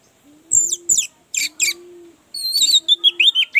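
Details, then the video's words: Orange-headed thrush therapy song meant to stimulate a bird that is lazy to sing: short high whistled phrases, then a run of rapid sliding notes repeated several times, over a steady low background tone. "Pancingan anis merah, agar cepat ngeplong"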